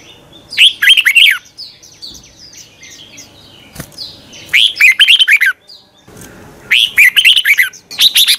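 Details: Red-whiskered bulbul morning song to provoke birds to sing: repeated short phrases of fast warbled chirps, with softer chattering notes filling the gaps.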